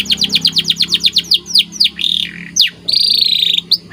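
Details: Canary training song with a fast run of repeated falling chirps, then drawn-out swoops and a rich buzzy trill lasting about a second, ending with a sharp rising note.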